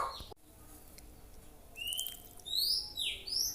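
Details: Young white-rumped shama learning song, a sharp click at the start, then quiet, followed by rising and swooping high whistles at the end.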